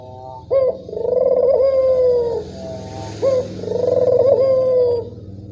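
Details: Barbary dove cooing at dusk, played as a lure to draw out doves that call little: a crisp rising note opens each of two long rolling, purring coos, with a soft low hum underneath.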